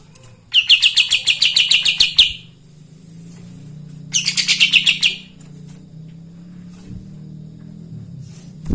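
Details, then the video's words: Kapas tembak song meant to provoke other birds: two separate bursts of fast, scratchy chattering notes, the first nearly two seconds long and the second about one second, with a low steady hum between them. "Kapas tembak gacor paling bisa bikin EMOSI burung bahan"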